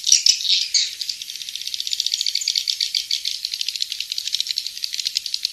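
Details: Swiftlet calls: a dense rattling chatter of rapid high clicks and twitters, with a louder burst in the first second and then steady pulses repeated several times per second.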